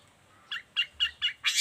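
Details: Long-tailed shrike song of the kind used to tutor other shrikes: five short, harsh, buzzy notes spaced about a quarter second apart, the last one louder and broader.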